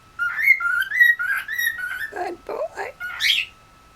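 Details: Pet cockatiel in West Newton, Pennsylvania, whistling a continuous wavering melody of sliding notes, then a few lower warbled notes and a final high rising whistle. A faint steady electronic hum sits in the background.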